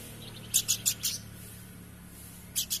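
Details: Horsfield's babbler, called planduk semak, in lively full song: short bursts of bright, high notes in a quick group of three, then a pause and two more notes.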